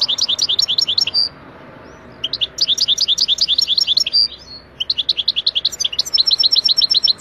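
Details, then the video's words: European goldfinch recorded wild in Algeria, cleaned of background noise, delivers fast liquid twitters and chattering trills in three bursts separated by short silences, mixing sharp high notes with brief nasal buzzes. "Wild goldfinch song from Algeria تغريد الحسون الخلوي الجزائري"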